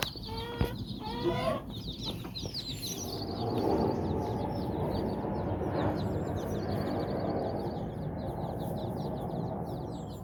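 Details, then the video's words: Domestic hen out walking with her nine chicks in Bizkaia, Basque Country, the chicks exploring and playing; thin, high, downslurred peeps repeat rapidly, with a few lower chirps at the start over a steady outdoor rumble. ""Amatxu" gallina con sus nueve polluelos"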